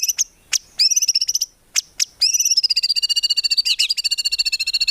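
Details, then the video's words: White-rumped shama, locally murai batu, singing hard with 'tembakan' shot phrases and no 'ngukluk' notes: a few sharp clicks and a whistled note, then a long, very fast rattling trill of evenly repeated high notes. "MURAI BATU GACOR FULL ISIAN TEMBAKAN MEWAH GAK ADA NGUKLUK NYA"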